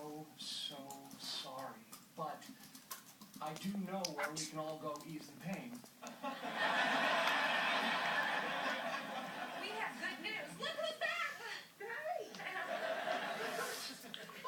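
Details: A pet budgerigar playing with his toys chatters in rapid, scratchy warbles and mixes in quacks mimicking his toy duck.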